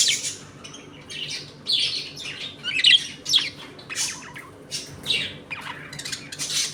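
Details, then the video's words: Budgerigars in a home colony, playing and fighting; irregular harsh squawks and warbled chirps in quick succession, with a faint low hum behind. "Budgies Eating and play time in my home colony."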